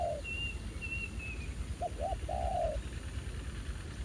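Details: Spotted dove at a ground-decoy trapping site revisited after a year, with a new, fairly aggressive wild bird responding: two short hooting notes and then a longer drawn-out coo. Thin high whistles from another bird are heard earlier, over low rumbling background.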